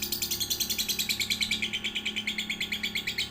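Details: A one-to-three-month-old lovebird chatters in quick, sharp, high chirps, roughly three per second. The notes are slightly uneven and jerky, sung as a training song for young lovebirds.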